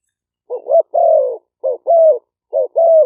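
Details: Two-part coos of a caged decoy spotted dove, Malay and 'phad phone' strains, in Roi Et, Thailand, used to lure wild birds; a short double note then a long level coo, three times, clean background.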